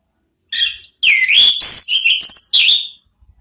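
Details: Dense, high twittering phrase from an orange-headed thrush in the ngeriwik style, used to coax the ngeplong sound: a short chirp, then about two seconds of tumbling, slurred whistles run together.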